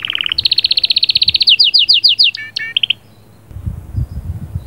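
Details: Canary song in the sahsahat and batbatat style, said to prepare the female; a short buzzy note leads into a long rapid trill and quick chirps, then the singing stops, leaving low background rumble.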